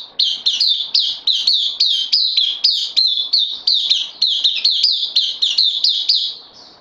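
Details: Bulbul, a new arrival on loan, September 2020: an unbroken, even series of bright, slightly buzzy chirps, each rising sharply then dropping, delivered about three per second, ending in a trailing note.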